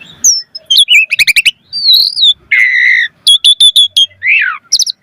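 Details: Rich, varied singing of an Asian pied starling used as a lure for other birds: chirps, a buzzy rattle, a smooth whistle, a drawn-out harsh note, a quick series of clipped calls and a final downward slur.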